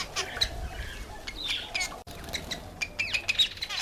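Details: Cape weaver calling in a run of sharp chips, short rising and falling notes and scratchy chatter, with brief gaps between phrases.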